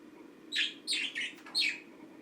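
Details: Green pet budgerigar during its daily routine giving four short, bright chirps spaced about a third of a second apart, over a low steady indoor hum.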